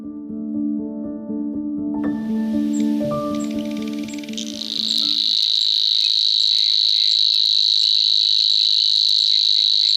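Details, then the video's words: Savi's warbler, a small brown reedbed-nesting bird, sings a long, even, high-pitched reeling buzz very like an insect, after a few seconds of tonal musical intro. "Está estragado, não está? Isto é mesmo o canto da cigarrinha. E temos aqui o Gonçalo"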